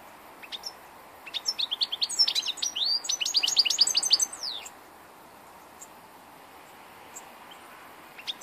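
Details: Old European goldfinch recorded on 2 August 2014, singing a rapid burst of about three seconds of twittering, tinkling high notes and liquid trills, then quiet with a few isolated chirps over soft low hiss.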